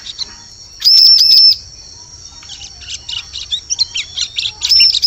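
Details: High ciblek lure call used to attract birds in forest: a burst of three quick arched whistled notes, a pause, then a scatter of short sharp chirps ending in another arched note.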